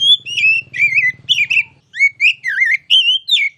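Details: Kacer, the oriental magpie-robin, delivering a loud training song of varied whistled notes, some wavering and warbled, in quick succession after a brief low hum fades.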